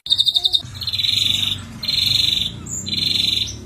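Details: Ashy drongo singing busily, from a lure recording: a quick stutter of notes, then harsh buzzy rattles lasting about half a second to a second, separated by short pauses, over a low background hum.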